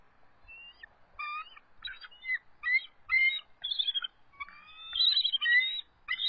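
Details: Two resident eagles at their nest, calling and trilling in a defensive posture as an adult intruder approaches around 7:44 pm on March 23, 2014; loud, piping, harmonic notes in rapid stuttering bursts, some rising then falling, with short pauses between.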